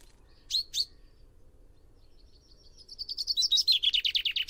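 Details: Common chaffinch (Fringilla coelebs) song: two sharp calls, then a rapid accelerating series of bright descending notes building toward a final flourish, loud and clear over a quiet background.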